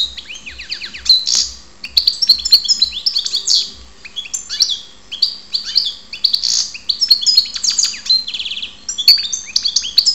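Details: European goldfinch in Ptolemaida, Greece, delivering a long, lively twittering song of liquid chirps, down-slurred notes and buzzy trills, with short pauses between bursts.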